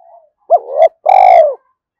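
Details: Continuously calling spotted dove luring wild doves: a faint note, then one phrase of a sharp upslurred note, a swelling middle coo and a long, level, falling-tailed coo.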